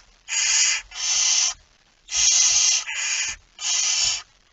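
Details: Barn owl with a mouse, recorded 17 September 2019 at 01:49, giving five harsh, breathy hissing screeches, each about half a second long, the first two and the middle two nearly back to back, with faint low rustling between.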